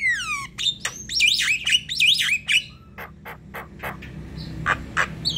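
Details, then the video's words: Javan myna singing vigorously as a lure, manggut into long ngerol: descending whistled slurs, wavering squawky phrases, then a series of dry rasping notes at about three per second. "MANGGUT² sambung NGEROL PANJANG ~ Pancingan jalak kebo"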